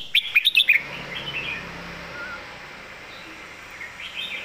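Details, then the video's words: Red-whiskered bulbul in loud, clear master-song style opens with a fast string of five sharp, chirpy whistled notes, then quieter warbling trails off amid steady background hiss and distant bird calls. "เสียงดัง ฟังชัด"ซัดเต็มข้อ นกเสียงทองเพลงแม่บท#เสียงนกกรงหัวจุก"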